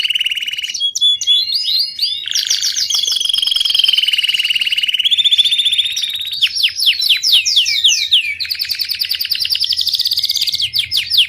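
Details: Caged domestic Belgian canary in continuous bell song, fast rolling trills and sweeping whistled phrases changing every second or two, high and ringing throughout with no pauses.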